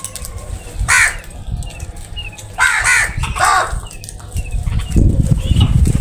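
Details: Crows gathered together at food, giving harsh broadband caws near one second and again around three seconds, several spaced calls in a row, over steady low rumbling wind or handling noise and faint thin bird notes.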